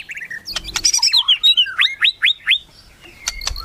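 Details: Melodious song of a white-rumped shama: a short whistle and a few sharp clicks, then a neat series of about seven rising, hooked notes, followed by a quiet pause and one last high note.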